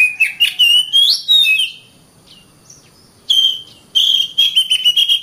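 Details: Oriental magpie-robin song: a burst of bright slurred whistles and chirps, a quiet pause of over a second, then rapid repeated sharp notes over steady whistled tones.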